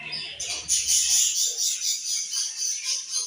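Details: Australian budgerigars chirping in dense, overlapping high chatter. Rapid twittering notes pulse in waves about twice a second, with a brief low rumble at the start.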